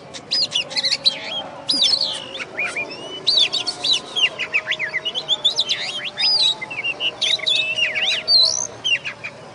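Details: Caged oriental magpie-robin from West Kalimantan, Indonesia, a first-place singing-contest winner recorded after the contest. It delivers a rich, varied run of high whistles, sweeps and trills in quick bursts, with a steady low hum behind it.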